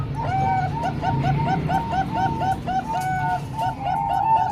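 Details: Zebra dove song from mixed Bangkok-type and local birds meant for training young birds: dense, continuous runs of short hooked coos, several voices overlapping, with steady low background noise.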